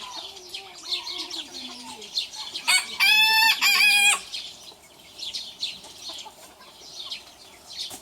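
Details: Rooster crowing while squaring up to a rival in a small-versus-big rooster challenge; one loud, harsh, strongly harmonic crow of about a second and a half, with softer clucks and high chirps from other birds around it.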